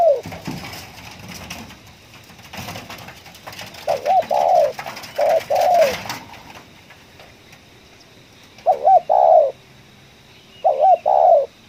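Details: Spotted dove in a coffee field giving 'ngeruk' calls. Rustling and handling noise cover the first six seconds as husky coo phrases start. Two clean double-note-and-coo phrases follow in quiet.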